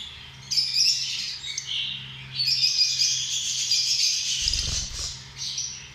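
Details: Lovebirds, small flock-living parrots, keep up loud harsh chattering and squeaky calls in long overlapping runs, with a brief low thump near the end and a steady background hum.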